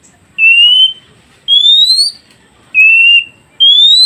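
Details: Oriental magpie-robin song played so newly caught wild birds answer quickly: clean whistled notes alternate, a level note then a higher rising one, about one per second with short pauses between.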